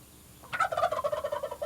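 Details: A male wild turkey gobbler in Missouri gives its rattling challenge gobble: a rapid burst of about a dozen throaty pulses, loud at the start and tumbling quickly over just over a second.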